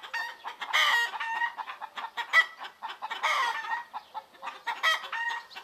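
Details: Several chickens in Greece in the morning, roosters and hens mixing drawn-out harmonic crows with quick clucks, calls overlapping in uneven bursts.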